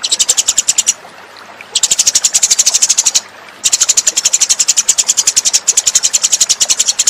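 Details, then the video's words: Eurasian tree sparrow lure call used to attract birds: fast, high, evenly spaced chirps in long bursts, breaking off briefly twice before resuming. "suara pikat burung gereja"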